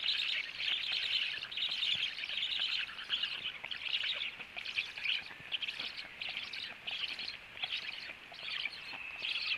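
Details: Black stork nest at feeding time, the male just back home; rasping, wheezy high calls run in near-continuous bursts, each lasting under a second with short gaps between.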